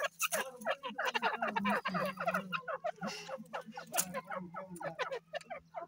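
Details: Grey francolins in the breeding and egg-laying season giving dense, rapid chattering: many short, downward-slurred clucking notes tumbling over one another at about three a second, with a low steady hum beneath.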